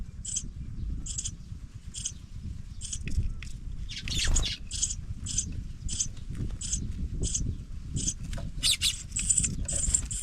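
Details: Pipit nestlings leaving the nest keep up a steady series of brief, scratchy, hissing chirps roughly every half second. They grow denser and overlap near the end, over a constant low background hum.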